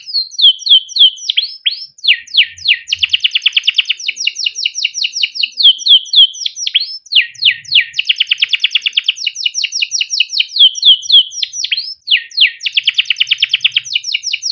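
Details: Caged male canary in 'cuit cuit ngerol' style, used to teach young canaries: rapid repeated sweeping whistles alternating with long buzzy rolling trills, sustained high and loud throughout with no other sounds.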